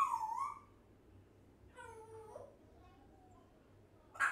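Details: A one-year-old African grey parrot talking, uttering short, voiced, wavering phrases: a meow-like opening, then a sliding fall-and-rise, with quiet pauses and a sharp final burst.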